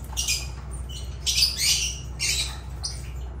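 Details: Lovebirds (Agapornis) let out three loud, rough, screeching bursts, each roughly half a second long, over a steady low hum.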